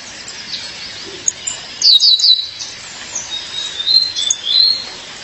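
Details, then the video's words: Female violaceous euphonia calling her mate; one short cluster of sharp high descending notes followed by faint thin wavering whistles. "Fêmea de Guriatã, chamado seu parceiro"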